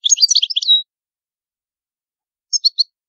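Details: Palermo-style Sicilian European goldfinch, old song type, recorded clean: a brisk jumble of bright twittering notes ending in a drawn whistle, silence, then three short high chirps.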